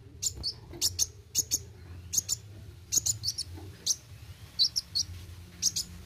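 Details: Kolibri wuling sunbird in energetic 'roll tembak' singing: high, thin, clipped chirps delivered singly and in pairs, roughly two to three per second, with a faint low background hum.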